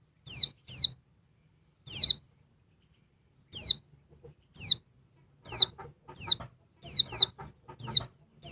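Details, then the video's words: A female oriental white-eye calls noisily, stirring up a male. Sharp, high descending whistles come singly or doubled, irregular at first, then crowding closer toward the end. "Burung pleci betina ribut bikin jantan emosi"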